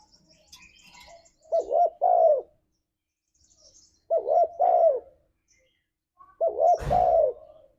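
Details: Spotted dove cooing in the energetic 'ngalas' style used to lure pet doves into song: three phrases of wavering double coos ending in a drawn-out falling note, with a sharp knock in the last phrase.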